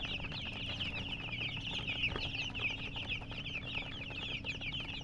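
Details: Baby chickens with coloured down chirping as a group, a steady stream of piercing little peeps overlapping without pause, plus a faint low hum.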